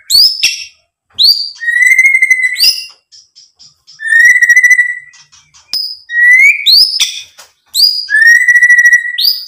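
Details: White-rumped shama song used to provoke other birds into singing: long pure whistled notes held level, alternating with sharp upward-sweeping whistles, in loud phrases separated by short pauses.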